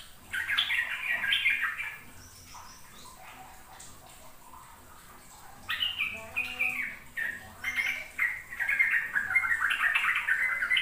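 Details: Sooty-headed bulbul ropel song used to lure young birds into singing: a burst of fluty chattering notes, a quieter pause of about three seconds with soft scattered chirps, then the quick bubbling song resumes.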